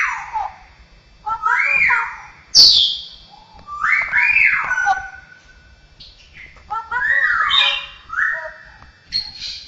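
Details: Straw-headed bulbul (cucakrowo) trained with mimicked sounds of other birds, cats and humans; loud rich whistled phrases, rising and falling, in bursts with short pauses between them, some notes sliding down, a sharp high note near the middle.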